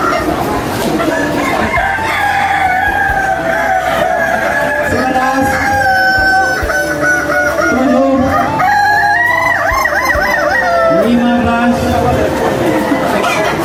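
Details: Kukuak Balenggek cocks crowing in a contest at Nagari Batu Bajanjang, Tigo Lurah, multiple long overlapping crows with sliding and warbling pitch changes, voices and background noise among them.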